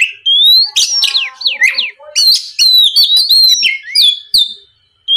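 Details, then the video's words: Oriental magpie-robin song serving as a lure for other magpie-robins: bright whistled notes, a run of quick downward slurs, chattering clicks and steady high tones, ending in silence. "MEMANCING KACER BAHAN AGAR MAU BUNYI LANGSUNG NYAUT, SUARA PIKAT BURUNG KACER GACOR NGEPLONG"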